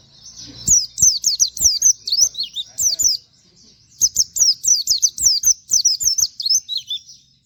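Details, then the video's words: Pleci (white-eye) singing its 'wit wit' canary-style phrases, meant as tutor material for training other birds: two bursts of fast, high, downslurred chirps, separated by a short silence around three and a half seconds, with soft low taps. "pleci nembaķ wit wit kenari cocok buat masteran"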